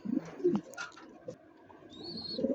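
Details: Domestic Mondain pigeon, the most vocal of the kept pigeons, calling nicely: soft low coos in short bursts near the start and again at the end, a faint high whistle-like tone in between, over quiet indoor background.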